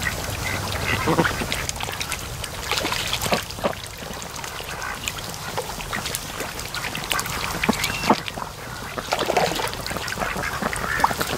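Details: Domestic ducks resting and sleeping in the afternoon sun at a lake near a creek mouth; scattered brief nasal quacks come and go among a noisy outdoor background.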